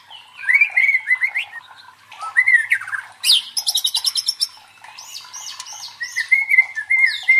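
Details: White-rumped shama (murai batu) song used as a teaser for training the mental toughness of fighter birds: clear whistled phrases alternating with fast buzzy trills and repeated looping high notes, delivered loudly and continuously.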